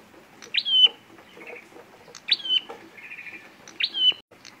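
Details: Lure recording of a prenjak merah giving its fighting call for trapping: three loud upswept chips each ending in a thin sustained whistle, separated by quieter buzzy rattling notes.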